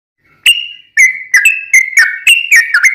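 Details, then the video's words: Sooty-headed bulbul used as training song for caged birds, a long rolling style with repeated phrases: loud clear whistled notes near one pitch, some sliding down, in short bursts after a brief pause, with no other sounds. "Trucukan gacor tarung ROPEL panjang"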